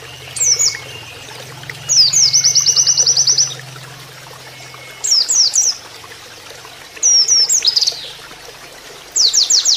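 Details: Oriental white-eye (pleci) giving canary-style 'nembak kenarian' training song over added flowing water: a quick downslurred phrase, then a fast high trill of evenly repeated notes, with more short bursts separated by pauses of a second or two.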